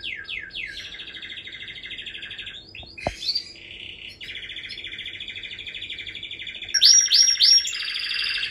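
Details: Canary singing a long continuous song of rapid trilled phrases, steady buzzy rolls held for several seconds, one dipping note midway, ending in quick high sweeping whistles.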